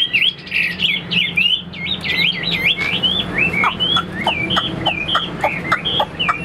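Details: Caged Chinese hwamei with a tall fighting stance sings a fast sequence of looping whistled notes, then a series of separate sharp upslurred whistles with short gaps, against a faint low hum.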